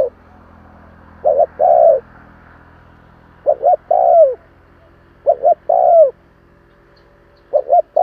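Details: A spotted dove coos to provoke wild doves. Four phrases are heard, each made of two clipped notes and then a prolonged coo dropping in pitch, with a faint low hum between them.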